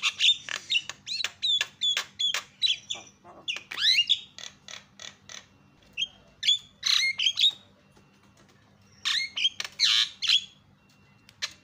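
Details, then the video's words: Loud Javan myna calling meant to goad silent mynas into calling: clusters of sharp clicks and rasping notes with a few sliding whistles, broken by a quieter stretch midway before another dense burst near the end. "PALING MANTUL SUARANYA MENGGODA JALAK CEPAT TERIAK"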